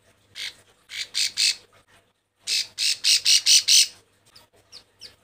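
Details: Female bar-winged prinia in breeding condition calling to males: two bursts of harsh, buzzy, broadband notes, four then six, about four per second, separated by a short pause, with faint chips trailing off at the end.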